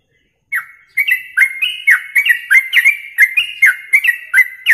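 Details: Masteran tutor recording of a yellow-vented bulbul for contest training: rapid, clean, liquid whistled notes, each dropping or rising slightly, repeated three to four times per second after brief silence, with no background noise.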